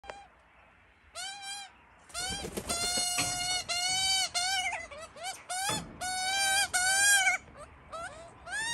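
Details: Hungry Australian magpie chick that missed out on food, begging: loud, rich, wavering squawks, each a drawn-out nasal note, repeated in uneven bursts with short pauses, some notes bending upward.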